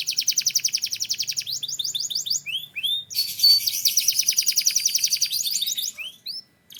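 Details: Powerful song from a canary from Türkiye: a long, fast, buzzy trill, a run of rising chirps, then another dense rolling trill that fades into a few sparse notes and silence.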